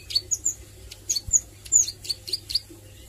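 A young Plain Prinia practises its song: thin, very high, sharp chips and short slurred whistles, given in quick uneven bursts over a faint low hum.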